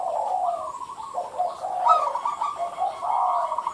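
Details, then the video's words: Zebra dove giving a rapid stuttering coo, a run of short mid-pitched notes that rise and fall without pause for nearly four seconds. Faint background hiss. "BB Merbuk PC (Kent Ho) - Derak"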